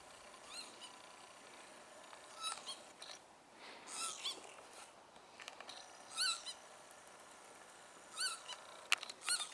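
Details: Northern Lapwing (Vanellus vanellus) at Ljubljansko barje on 22 April 2024 giving wheezy, slurred 'pee-wit' calls every one to two seconds over a steady background hiss of wind.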